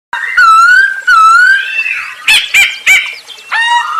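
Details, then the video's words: Masked laughingthrush (poksay hongkong), a captive bird in lively song used as a lure to get other birds singing: loud whistled phrases with rising and wavering notes, then harsh broadband bursts and a final whistle. "Burung poksay hongkong gacor untuk pancingan"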